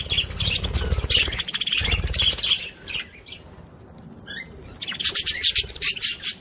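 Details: Budgerigar chatter played to stimulate other budgies: loud buzzy warbling bursts, a quiet middle with a couple of clear whistled notes, then renewed rapid chattering.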